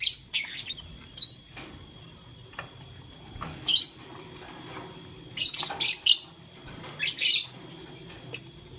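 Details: Lovebird, blue lutino and green, chirping while playing with a flower: sparse sharp high chirps, some in quick clusters of three or four, separated by quiet stretches.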